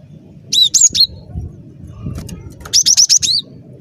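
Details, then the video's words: Energetic cinereous tit song, offered as a trapping lure: two short bursts of high, bright chirps, the second a quick run of four or five rapid slurred notes ending in a lower dropping note, over faint low rumble. "Suara Burung Glatik Batu Gacor"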